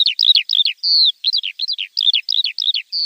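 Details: Javan bush lark training song for untrained birds: quick twittering clusters of high notes broken by a single sustained whistle, delivered briskly and densely.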